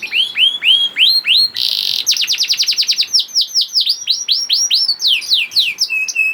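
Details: Juvenile canary song meant to prompt silent canaries to sing: curved sweeping whistles, a brief noisy burst, then a very rapid trill, followed by slower descending slurred notes and a steady whistle.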